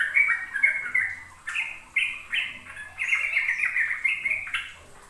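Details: Sooty-headed bulbul in 'ropel' song for young learners. Several slurred whistles, then a pause, then a run of bright, sharply rising and falling notes in short bursts over a soft background hum.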